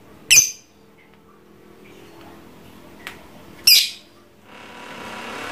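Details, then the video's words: Caged trondol lovebird, trained to chatter continuously: two separate shrill, rasping high squawks about three seconds apart, with a faint click between them and a rise of background noise at the end. "Suara burung Lovebird trondol ngekek terus, gacor tenan!"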